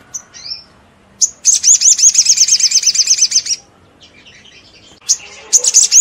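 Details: Olive-backed sunbird singing the ngleper style meant to stir other sunbirds into answering: a few thin high notes, then a rapid, sharply pulsed trill of about two seconds, then more bright chips.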